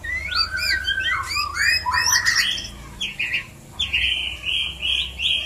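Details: White-rumped shama mating call for prompting breeding: rapid rising whistles and sharp upswept notes, then a series of buzzy, level phrases repeated several times.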